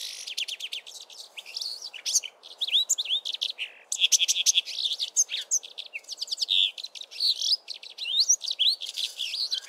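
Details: A male Brimstone canary (Crithagra sulphurata) sings from a treetop in early spring, a fast, continuous melodious warble of bright chirps, trills and twittering notes, high-pitched and varied, for nearly ten seconds.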